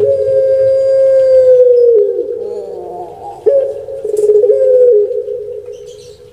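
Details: Kept puter pelung dove from Indonesia, popular on Java, giving one long level mellow tone that drops and breaks near two seconds, followed by a wavering rough passage and another sustained coo fading at the end.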